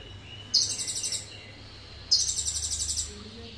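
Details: Two quick, very high, chattering trill bursts from an Indonesian sunbird singing its cililin-filled song, each lasting under a second, about one and a half seconds apart.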